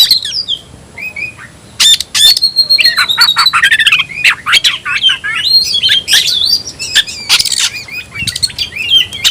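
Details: Tayoraky-style singing by a caged oriental magpie-robin: soft opening notes, then loud harsh bursts, steady high whistles and a busy stream of twisting slurred phrases.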